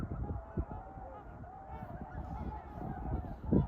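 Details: Winter trumpeter swans honking: a run of short, nasal, horn-like notes close together, with thumps and low background rumble.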